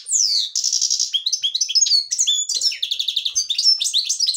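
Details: Black-headed European goldfinch of the devonash colour type sings fast, high, tinkling twitters: a rapid mix of chirps, buzzy trills and sharp liquid notes that runs on without pause.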